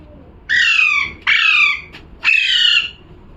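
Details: Three grating parrot squawks, each sliding downward, spaced less than a second apart. Faint room hum sits between them.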